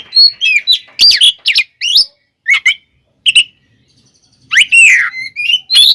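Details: Oriental magpie-robin (kacer) in full, combative song used to provoke other magpie-robins into anger; bursts of loud, varied whistles and harsh chattering notes, rising and falling sharply, separated by short pauses, with a thin high tone near the middle.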